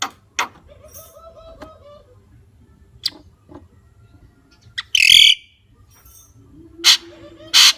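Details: Javan myna with scattered clicks and short notes, then loud harsh grating bursts near the end, separated by quiet gaps.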